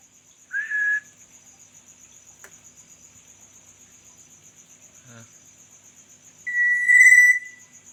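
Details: Black-naped oriole giving two clear, fluty whistles about six seconds apart, the first slightly rising and the second steadier and longer, heard at night over a continuous high cricket trill.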